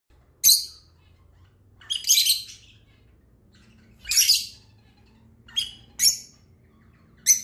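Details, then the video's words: Lovebirds calling to each other: sharp, harsh, high chirps given singly every second or two, some short double notes, in an otherwise quiet room with a low hum. "Lovebird talking to each other"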